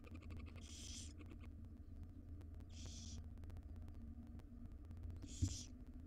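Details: Nest-box barn owl young, five wild owlets being fed breakfast by their mother, give three rasping, snore-like hisses about two seconds apart, with a soft thump near the end and low hum.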